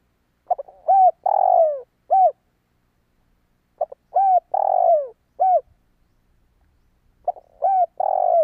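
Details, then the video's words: Lure call of a spotted dove for attracting wild doves: the same cooing phrase given three times about every three seconds, each a quick stutter, an arched coo, a long falling coo and a closing short coo. "Tiếng chim cu gáy kích bổi hiệu quả"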